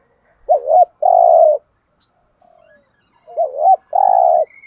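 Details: Spotted dove kept as a decoy, cooing to draw in wild doves: two phrases, each a quick wavering double note then a long even hoot, separated by a second of quiet.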